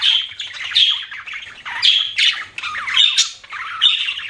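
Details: Pet budgerigars chirping: lively, scratchy warbled squawks and chatter in short bursts about every half second, loud and close with no other clear sounds.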